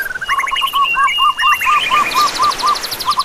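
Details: Bird song: a series of short arched notes repeated about twice a second at a mid pitch, overlaid by a long thin whistle and then fast, high buzzy trills near the end.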